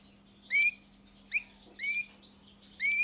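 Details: European goldfinch singing: four separate clear whistled notes, each sliding upward, spaced roughly half a second to a second apart over a faint steady hum.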